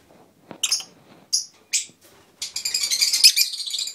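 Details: Rosy-faced lovebird recorded in December 2012: a few short, high, harsh chirps, then a dense run of rapid scratchy chattering notes in the final second and a half, in a quiet indoor setting.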